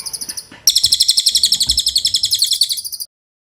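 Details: Velvet-fronted nuthatch, called cililin, in training audio for songbirds: a short high trill, then a louder rapid chattering trill lasting about two and a half seconds before silence.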